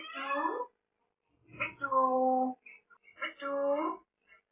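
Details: Pet African grey parrot mimicking human words. Three bursts of rich, voice-like syllables, the middle one drawn out and steady, separated by brief silences in a small room.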